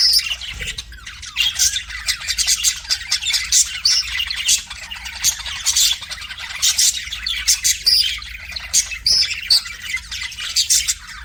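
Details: Caged pet budgie singing toward a mirror, producing a steady stream of scratchy chatter, squeaky chirps and short squawky notes in uneven bursts.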